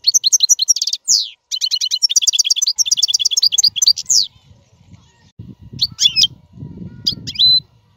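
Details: Goldfinch, described as free royal singer for training cage chicks, delivering fast chattering song of repeated chips and slurred notes for four seconds, then scattered bright calls over low rumbling background noise.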